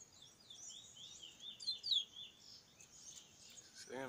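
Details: Bullfinch at Icacos, Trinidad, singing a high, rapid twittering warble of thin slurred notes, loudest near the middle, with a voice breaking in right at the end.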